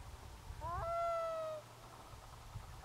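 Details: A single black-throated loon cry over a misty sea bay: a fast rising onset flowing into a drawn-out, gently falling harmonic tone lasting about a second, with low rumbling noise underneath.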